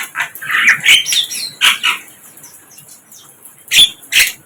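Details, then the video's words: Flycatcher, locally called sikatan londo, calling in the wild: a few sharp, squeaky high notes grouped near the start, then a quiet gap and two more abrupt chirps at the end. "Sikatan LONDO"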